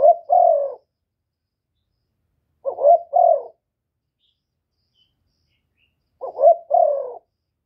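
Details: Spotted dove call aimed at provoking rival birds, without background noise: three low phrases about three seconds apart, each a short tremulous coo leading into a longer coo that drops slightly in pitch.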